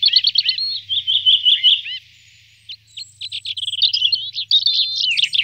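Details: Common chaffinch singing: a fast trilled phrase of repeated bright notes lasting about two seconds, a short pause, then a second phrase of clipped notes running into rapid trills, with a few other high bird notes in the background.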